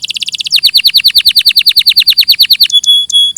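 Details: Canary singing a clear recording: a quick high trill, then an even run of downslurred notes about eight per second, ending in sustained ringing whistles with brief gaps.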